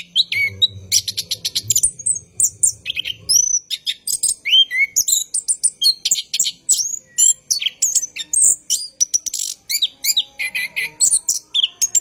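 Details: Orange-headed thrush singing at night in captivity, a long rolling lure to start other thrushes singing: a sustained rapid cascade of varied clicks, twitters, whistles and buzzy notes, densely packed throughout.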